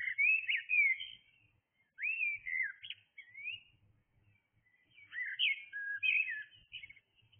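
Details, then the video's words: Blackbird song from early morning: several short, warbled whistle phrases with sliding notes, separated by brief pauses, with a soft background hum. "Blackbird singing"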